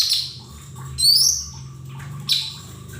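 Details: Lesser green leafbird lure recording for untrained cage birds: high sharp chirps, including a bright rising sweep near the middle and another brief note later, with a faint low hum behind.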